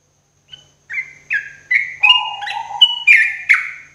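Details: Morning song of a sooty-headed bulbul used as cage-bird therapy: after a soft opening note, a run of seven fluty, slurred whistles about every half second, with a lower held note beneath the middle ones.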